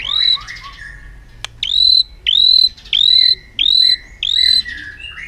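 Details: White-rumped shama performing an aggressive display to stimulate other birds: a loud rising whistled note repeated five times, each followed by a lower trailing whistle, roughly every half second after a single sharp click.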